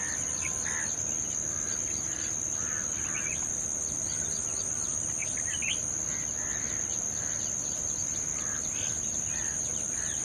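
Wire-tailed swallow giving short, scratchy chirps in loose twittering bursts throughout, over a steady high-pitched insect drone.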